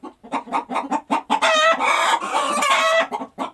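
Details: After laying an egg, a hen gives soft rhythmic clucks that swell into a long, loud, raspy squawk, then settle back into a few clucks.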